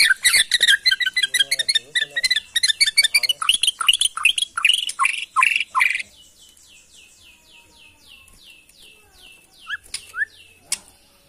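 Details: Borneo white-rumped shama, original from the forests of Kalimantan, singing to agitate other shamas: loud varied phrases and a run of repeated downslurred whistles for six seconds, then quiet with faint distant notes and clicks.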